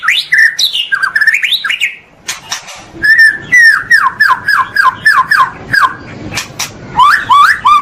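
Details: Training recording for caged white-rumped shama (murai batu): rich, rapid whistled phrases, then a steady series of sharp downslurred whistles roughly three per second, ending in looping upslurred notes.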